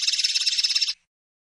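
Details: Common linnet (pardillo) giving a brief, rapid high trill of evenly pulsed buzzy notes lasting about a second, then falling silent.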